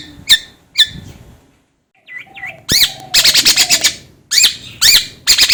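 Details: Long-tailed shrike mixing sharp hooked chirps, soft whistled V-shaped notes, and dense rattling chatter, with a low steady tone briefly underneath.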